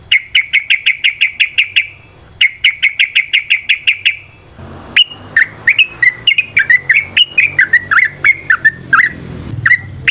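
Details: Yellow-vented bulbul in long, rapid fighting song, used to provoke a fighting response: two fast, even trills of sharp notes, then a loose series of upslurred whistled chirps about three per second.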